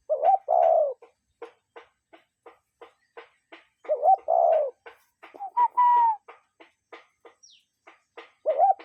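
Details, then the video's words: Recorded in nature, a cuckoo repeats its doubled cu-coo three times, the second note longer and dropping. Steady ticking clicks run underneath and another bird adds a brief whistle. "Relaxing Cuckoo Bird Sound in Nature"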